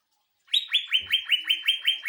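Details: Greater green leafbird, 'sewing machine' song used to train and provoke other birds: eight evenly spaced, sharp, downward-slurred chip notes about five per second, with a brief low thump behind them.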